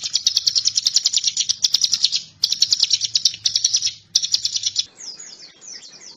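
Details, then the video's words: Bar-winged prinia (ciblek gunung) giving bursts of fast, high chipping notes separated by short pauses, then fainter, softer twittering notes at the end; used as a master song for magpie-robins. "Suara ciblek gunung"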